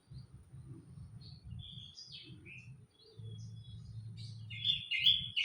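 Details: Olive-backed tailorbird in a frangipani tree, its fledgling nearby, giving short, high chirps and a louder bright burst near the end, over a low rumbling hum and a man talking.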